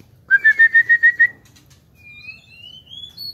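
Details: White-rumped shama kept in an aviary: seven loud, evenly spaced whistled notes on one pitch, followed by a thin, rising whistle that climbs higher. Quiet low hum in the background.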